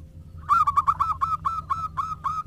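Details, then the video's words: Local zebra doves call back and forth in lively song. About nine clipped, slightly rising cooing notes are spaced evenly under half a second apart, over a low steady hum. "PERKUTUT JADI RAMAI SALING SAHUT !! (Perkutut lokal gacor)"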